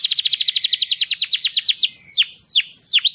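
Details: Canary song for tutoring young birds: a rapid, even trill of short descending notes, about fifteen in under two seconds, slowing into several long downward-swooping whistles, loud and clean with no other sounds.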